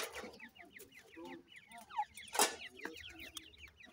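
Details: Teetar, a francolin, with its new chicks in a new breeding season; many rapid, thin, repeated peeping notes from several chicks, some lower clucking notes and a brief loud burst near the middle.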